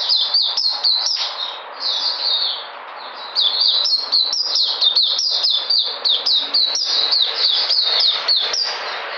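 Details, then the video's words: White-eye, 13 February 2020, pouring out a dense, rapid high-pitched chatter of clipped chirps and down-slurred notes, briefly easing around the second mark before racing on. "Puteh Sunday coming back in energy"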